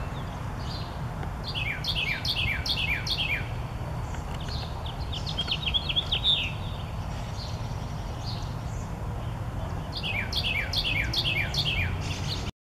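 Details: Carolina wren in a backyard pours out rapid rolling phrases of slurred, downward notes in two loud bursts, with softer chatter between them and a steady low rumble underneath.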